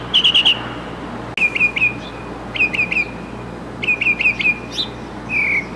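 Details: Mockingbird in full song: short bright phrases of quick chirped notes, each note repeated three or four times before the phrase switches, with pauses between bursts and a low steady hum underneath.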